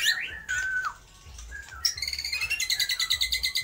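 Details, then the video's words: White-rumped shama singing and mimicking lovebird, kapas tembak and pijantung gunung calls: a rising whistle, a long flat whistled note, then a fast buzzy series of rapid repeated high notes. "MURAI BATU GACOR || TEMBAKAN Love bird,kapas tembak dan pijantung gunung"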